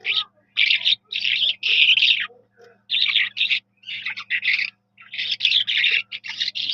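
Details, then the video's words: Skylark (Jal Mashadi) song: rapid, scratchy, high-pitched warbling phrases delivered in quick bursts with brief gaps, a steady low hum running underneath. "جل مشھدی کی پیاری آواز ۔ Sky Lark bird beautiful Voice. Jal Mashadi."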